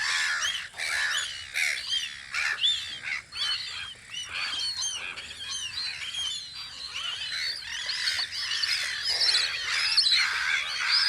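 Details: Spring gull chorus on Audru polder at the birds' guard post: many short, bent, squealing calls overlapping continuously, some higher chirping notes mixed in, swelling louder toward the end.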